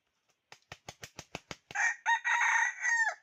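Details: Decoy red junglefowl rooster used for trapping wild fowl, recorded 6 January 2021: about seven loud wing-flap beats, then a harsh, strained crow with a drawn-out, slightly falling ending.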